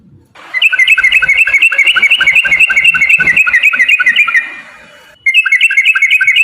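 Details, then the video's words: Trucukan in long 'ropel' song meant to get birds singing: a steady, fast train of bright chirping whistles for about four seconds, a quiet pause, then the chatter resumes. "trucukan gacor TARUNG ROPEL PANJANG pancingan trucukan agar bunyi"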